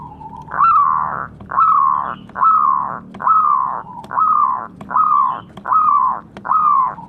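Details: Zebra dove calling, played to provoke captive birds into answering: eight rich, slightly rising cooing notes delivered steadily, about one every 0.8 seconds.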